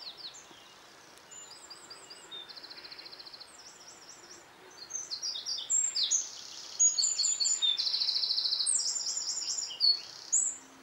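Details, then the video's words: Wren singing in the dawn chorus: a loud, very high, rapid outpouring of tinkling notes and dry buzzy trills, growing stronger toward the end over a faint hiss. "Wren singing at sunset"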